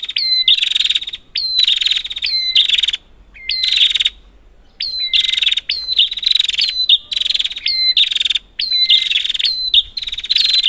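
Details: Prinia calls used as a lure to prompt silent prinias: about ten rapid bursts of high, buzzy chattering notes, each opening with a clear whistled note, separated by short pauses, with a quiet background.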